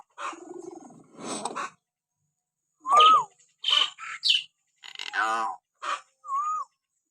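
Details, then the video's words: Common hill myna, a training recording to excite pet mynas into calling: raspy nasal notes, a loud clear upslurred whistle, harsh squawks and a buzzy harmonic call, ending with a short rising-falling whistle, all in separate bursts. "masteran burung beo suara siulan alami"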